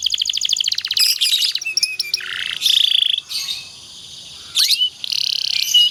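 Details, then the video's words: Canary singing long and dense 'nembak rapat' phrases, used as a teaching song: rapid trill, varied whistles and buzzy rolls, a rising slur, and brief pauses between bursts. "suara burung kenari"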